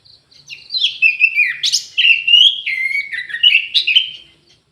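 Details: Caged orange-headed thrush in an aviary delivering a continuous run of clear whistled notes, dipping and rising, mixed with brief harsh scratchy accents and quick trills, the phrase fading at the end.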